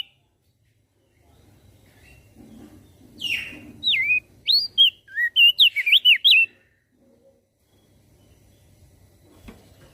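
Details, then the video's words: Energetic song of a Javan grey-throated white-eye, described as stirring other birds to join in: a quick string of about ten twisting, sharply modulated whistles over faint low background rumble. "Opior Jambul Gacor Suaranya Memancing emosi Langsung Burung Lain Ikut Bunyi"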